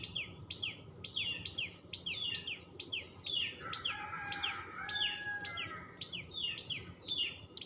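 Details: Common tailorbird (Orthotomus sutorius), call.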